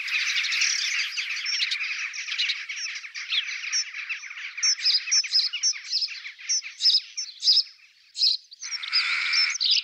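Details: Courting European robin giving a continuous high, scratchy warble with short whistled notes scattered through it, breaking into brief louder bursts and a short pause near the end before a final chattering phrase.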